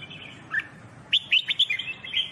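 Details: Red-whiskered bulbul (jambul bulbul) singing for training: a quick string of bright chirping whistles, about six notes in a second, above a constant low background hiss.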